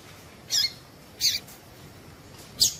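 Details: Female Double-collared seedeater call meant to set males singing: three brief, high squeaky notes, the first two under a second apart, the last after a longer pause, in quiet surroundings.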